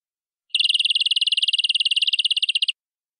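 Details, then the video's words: Local canary of forest origin in full-isian song with rich cengkok: a dense, rapid, buzzy high trill lasting about two seconds with even pulses, starting and stopping cleanly. "Suara Burung Kenari Lokal Full Isian"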